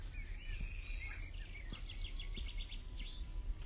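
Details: Blyth's reed warbler recorded at 20:25 gives a thin, high whistle, then a quick run of short, repeated bright notes, over a heavy low rumble of background noise.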